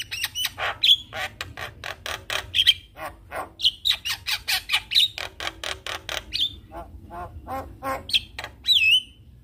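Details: Javan myna in full 'gacor' song packed with 'isian' filler phrases, said to set other mynas calling: a fast run of harsh rasping pulses, about two per second, broken by short bright whistled notes.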